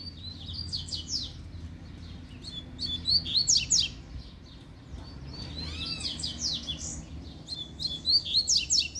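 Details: Coleiro singing in repeated high, buzzy bursts of rapid notes, three main phrases spaced a few seconds apart, over steady low background noise.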